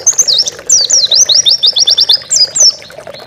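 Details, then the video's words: Master song of an Oriental white-eye for training pet birds: continuous high twitter of sharp, downward-slurred notes delivered in quick succession, a rapid trill-like run in the middle, ending with a few dipping chirps. "Masteran burung pleci gacor bukpar"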